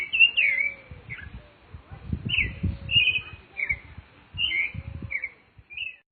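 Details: Rufous-bellied thrush in a natural setting, giving short bursts of warbled whistled phrases separated by brief pauses, with low rumbling bumps and faint lower tones in the background.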